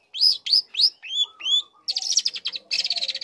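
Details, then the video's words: Young long-tailed shrike singing, used to goad other shrikes into calling: five clear rising whistled notes, about three a second, followed by fast, scratchy chattering trills. "Pancingan Emosi | Cendet Muda Gacor Belajar Materi Bikin Cendet Manapun Auto Nyaut Emosi Ikut Bunyi"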